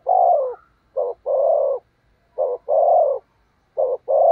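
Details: A decoy spotted dove, used to bring in wild doves, gives loud thúc gù cooing: a clipped note followed by a long, even coo, repeated about every one and a half seconds.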